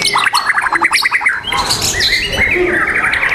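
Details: White-rumped shama singing at a bird-song contest on 12 December 2021: a run of quick repeated whistled notes, then varied rich phrases, with other birds singing behind it.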